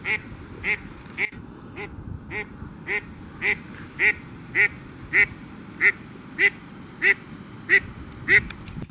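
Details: Duck waddling along a dock in Old Forge, NY, in 2020, giving a steady series of short, nasal quacks, about one every half second, loud and even against a quiet background.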